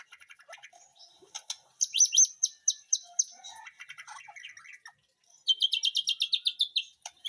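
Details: Caged White-rumped shama in a backyard garden aviary delivering a varied song: scratchy chatter, then loud rapid high trills and stuttered notes, a brief pause, and another fast ringing trill series.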